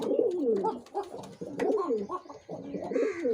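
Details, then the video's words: Male pigeon cooing: deep throaty rolling coos that swell and fall in bursts about a second long, with faint higher chirps and clicks from other birds nearby. "Pigeon Sound Effect || Male Pigeon Super Performance || Pigeon Sound"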